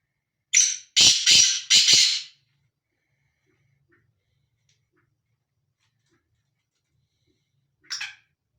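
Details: Male black francolin roaming free, calling a harsh, scratchy phrase of one brief note and three drawn-out rasping notes. A long silence follows, then a single short harsh note near the end.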